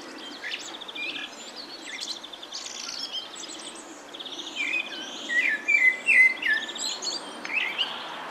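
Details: Common blackbird singing in spring at evening from the top of a pine; fluted, warbling whistled phrases rise clearly in the second half, around five to seven seconds, over a busy background chorus of high chirping from other birds.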